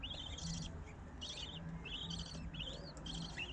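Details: Female budgerigar feeding her chicks; the young give repeated wheezy, buzzy begging notes with upward-sweeping whistled edges, about four bursts in under four seconds, over a steady low hum.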